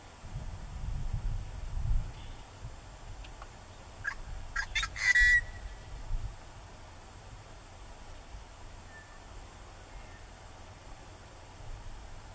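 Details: Northern pintail in Traverse County, Minnesota, 9 June 2015, giving a short, clear whistle, then two fainter whistles later; splashy clicks and a low wind rumble underneath.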